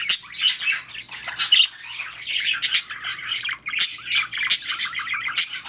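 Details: Mating budgerigars give a busy, scratchy warble broken by sharp high ticks and squeaks, in short bursts that follow each other with little pause.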